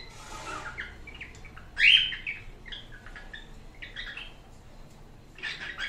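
A cockatiel whistles a series of short, clear notes, with one loud rising whistle standing out.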